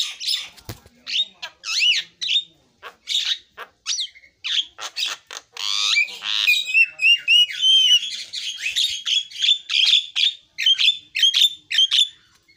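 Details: Javan myna in song, delivering fast series of squawky, buzzy and whistled notes, some rising and falling, then a steadier stretch of clipped repeated chirps near the end.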